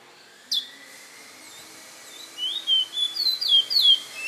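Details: Kept bullfinch from San Fernando singing after a single sharp note: a quick series of bright, slurred whistles and twittering phrases building over the last two seconds against a steady faint hiss.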